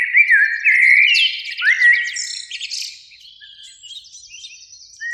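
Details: Eurasian blackbird, one of two singing in a spring beech tree by a lake at evening; a melodious whistled phrase of sliding notes followed by a thin, twittering high tail, then quiet with a distant faint note.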